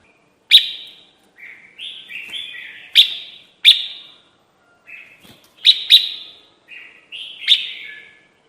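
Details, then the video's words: Red-whiskered bulbul call played as a trapping lure: a lively series of short, sharp chirps mixed with warbled, rising and falling whistled phrases, delivered in irregular bursts over eight seconds. "PIKAT SUARA BURUNG KUTILANG JAMBUL"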